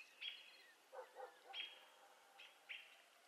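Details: Virginia rail calling: sharp high notes with a brief bright tone, repeated about once a second, between lower, softer grunting notes, over a steady background hiss.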